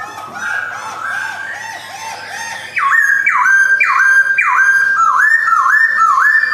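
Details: Caged male Black-throated laughingthrush, white-cheeked form, recorded in Yogyakarta in 2021. Soft wavering notes give way to loud, ringing whistles that drop sharply, repeated about twice per second.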